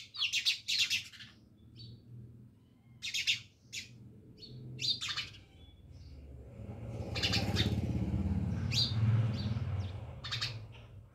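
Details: House sparrows near a village house in Jamnagar chirp in quick, scratchy clusters at the start, with scattered notes later, while a steady low rumble builds and swells through the second half.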